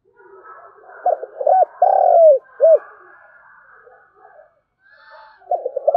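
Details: Spotted dove giving a thúc gù coo in the thổ đồng style, used as a lure to provoke wild doves into calling back: two short hooting notes, a long drawn coo, then a clipped final note, with a later phrase starting.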